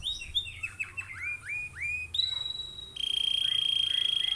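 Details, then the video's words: Canary lure song meant to prompt other canaries to sing: a run of quick downward-slurred high notes, then a long, level, pure whistle, ending in a fast buzzy pulsing trill. "PANCINGAN KENARI GACOR❗CENGKOK MEWAH GAMPANG DIIKUTI KENARI"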